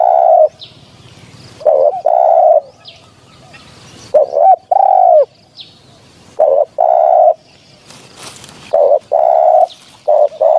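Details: Spotted dove cooing for a hunting lure, mellow low notes in pairs and triplets, a long final coo in several phrases, with gaps between groups and faint higher chirping and a short rustle.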